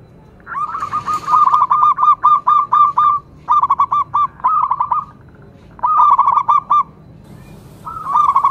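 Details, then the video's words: Zebra dove of a local strain delivering repeated phrases of fast, hollow, stuttering coo notes in tight trains separated by brief gaps, loud and close, with a short rustle near the start. "cukup sekali dengarkan perkutut lokal ini manggung"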